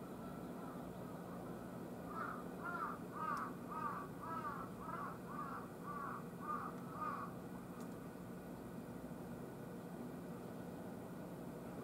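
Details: A wild carrion crow gives about ten harsh, hoarse caws, evenly paced about twice a second, over a steady low hum of distant traffic; 14 August, around 10:00–10:13 on a hot morning, three crows at a utility pole.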